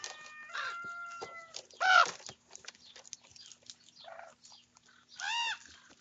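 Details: Young ravens squabbling over breakfast: steady, drawn-out whining notes, a sudden loud, harsh squawk, a softer nasal call, then another loud, arched, rasping caw.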